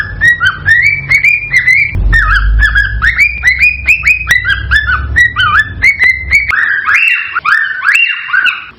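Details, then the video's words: Cockatiel whistling to encourage mating and breeding; repeated rising, bending whistles for six seconds over a low hum, then a louder, broader warbled phrase after the hum stops. "صوت لتحفيز الكوكتيل على التزاوج والانتاج"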